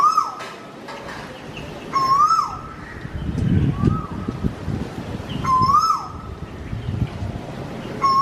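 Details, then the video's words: Koel giving a burping call: repeated short, clear whistled notes that rise then dip, with bright overtones, about every one to two seconds, over a steady low rumble and broadband background noise. "Koel burping"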